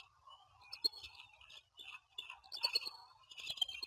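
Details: At Standley Lake, Colorado, at 07:06 on 21 April 2020, a male Bald Eagle making a first move on a new female gives thin, high chittering and piping notes in quick, irregular bursts with brief pauses.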